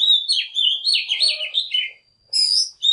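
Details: Oriental magpie-robin (Copsychus saularis) singing in the morning, a rich, varied run of sweet whistles and scratchy trills, a brief pause, then a high bright phrase; a decoy song used to provoke other magpie-robins to sing and to train young birds.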